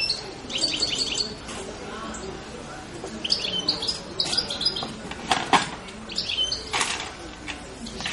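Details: Carduelis carduelis, the European goldfinch, giving bright, high chirps and twittering phrases in loose groups, mixed with a few sharp clicks and light background noise.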